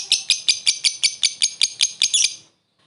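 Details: Lovebird calling a rival with a short ngekek laughing call used as a lure: around eleven crisp, rasping high notes at roughly four per second, the last few crowding together before stopping.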